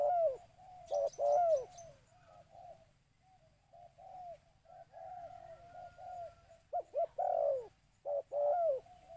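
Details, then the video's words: Spotted dove lure call mixing loud paired coos with a quieter stretch of soft rolling coos, then louder coos again; a short high twittering burst near the start over low background hum. "burung tekukur suara mp3 💯 ampuh dan jernih untuk memanggil burung"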